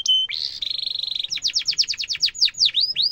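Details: Tutor song of a canary for young birds to learn: a short whistle, then a fast buzzy rattle, followed by a run of quick descending whistled notes and a few upswept sweeps.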